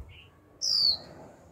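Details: Caged young female Japanese white-eye calling 'chíu' to prompt males to sing: one sharp, high, downslurred whistle, preceded by a fainter short chirp.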